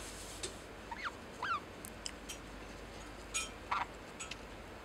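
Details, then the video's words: A pet lineolated parakeet indoors gives a few soft, chirpy, slurred syllables imitating words ("daisuki", "love you") over a quiet indoor hiss. "サザナミインコとの生活 だいすき"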